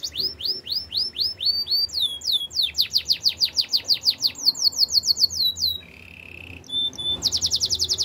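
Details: Spanish Timbrado canary singing for training: rhythmic series of quick falling whistles that speed into dense rolls, a short steady buzzy trill, then a rapid high rattle.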